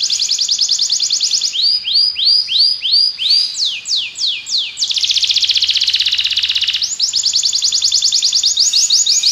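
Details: Song of a Belgian canary, shifting between rolled trills and looping downward-sweeping whistles, then a long rapid buzzing trill before switching back to a high fast rattle.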